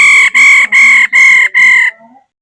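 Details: Female laughingthrush giving five loud, steady, harmonic notes, each about a third of a second long, separated by brief gaps, then a faint trailing note as the series ends.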